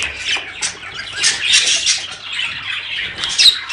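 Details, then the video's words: Budgies in a sound meant to stir mating: uneven bursts of scratchy chattering and squawks, louder around the middle, with a sharp high chirp near the end. "صوت يحفز البادجي للتزاوج"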